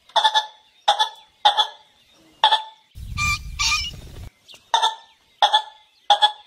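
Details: Golden pheasant calling for mating, giving short harsh double-noted bursts repeated roughly every half second, about eight in all, with a loud broadband rustling noise breaking in midway.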